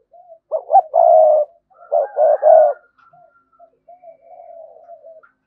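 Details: A decoy spotted dove gives a stuttered note and a long loud coo, then a rapid pair of coos, fading into soft drawn-out murmuring. The styles are sa gù and thúc bổi.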